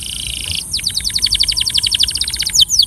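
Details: Training song from a Belgian canary: a short buzzy trill, then a long steady series of about twenty crisp repeated chirps, finishing with two sharper falling notes, over a faint high background whine.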